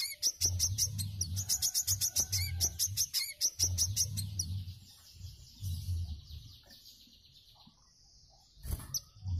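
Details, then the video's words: Cage-bird training recording of a Wiceh: a rapid chain of high, sharp chipping notes that slides into a soft, fading buzzy trill, with a brief click near the end and intermittent low rumble. "WICEH MBESET AJIB UNTUK MASTERAN BURUNG"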